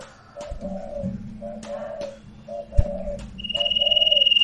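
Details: Sirtu cooing as a lure to start a quiet bird singing: low paired coos repeat about every second, with clicks and thumps, then a long high pulsing tone at the end.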